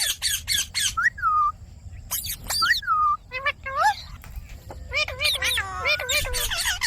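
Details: Speech-like chatter from a pet Indian ringneck parakeet: noisy bursts and drawn-out falling whistled syllables, ending in a fast run of wavering tonal notes.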